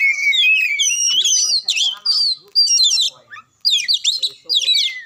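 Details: Magpie-robin singing to provoke a quiet bird into song: bursts of sweet downslurred whistles and scratchy chatter, broken by short gaps, ending on a long falling whistle.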